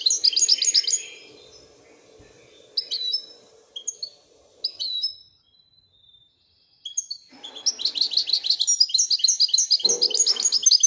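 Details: {'text': 'European goldfinch from Morocco performing Widaniya song, high bright twitters opening the phrase, then spaced liquid notes, a quiet gap, and a long rapid jangling trill; a low hum lies beneath parts.'}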